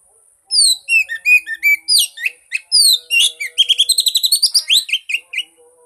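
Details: Song of an Oriental magpie-robin, played to stimulate a non-singing bird: varied fluty downslurs and chirps, then a fast burst of repeated sharp notes and rising whistles.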